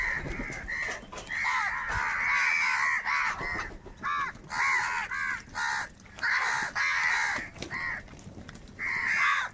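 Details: Huge numbers of crows crying while fighting for food; continuous harsh cawing from many birds, calls stacked and overlapping with short gaps.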